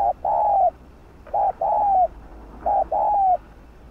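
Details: Spotted dove coo played to stimulate other doves to coo: clean, loud phrases, each a short note then a longer slightly falling coo, repeated about every 1.2 seconds against a quiet background.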